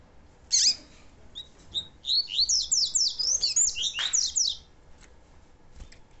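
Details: A captive male Double-collared Seedeater, used as a tutor song for training birds, gives a high sharp opening note, then a fast run of bright downslurred whistles, with faint chips before and after.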